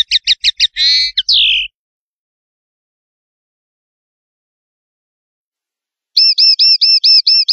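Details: Male common linnet singing in the countryside: a few quick clipped notes, a fast warbled twitter and a slurred descending whistle, then a long silence before a fresh run of about eight ringing, repeated notes.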